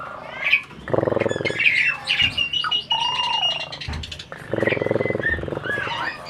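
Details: An adult Asian pied starling mimics talking with long harsh grating stretches broken by whistled slurs, a falling mid-pitched tone and sharp chirps, the rough passages returning after a brief quieter gap.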